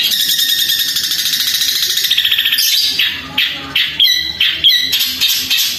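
Long-tailed shrike pouring out a loud, rapid chattering run, then harsh scolding bursts and squeaky notes that sound like sparrow-like mimicry, all high-pitched and forceful.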